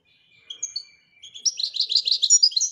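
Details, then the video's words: European goldfinch song: thin drawn-out whistles, then from mid-clip a fast run of bright, twittering notes repeated several times per second. "Le twitter et chardonneret royalتغريد طائر الحسون الملكي"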